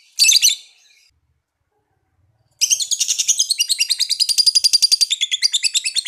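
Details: Lovebird uttering one harsh squawk, then after a pause breaking into a long fast trill of sharp high chirps, steady and even, shifting slightly in pitch toward the end.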